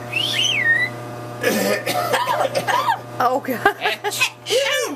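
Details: A pet yellow-naped Amazon parrot over 40 years old gives a rising-and-falling whistle, then a few harsh coughing and sneezing bursts and a run of hoarse, speech-like squawks and chatter.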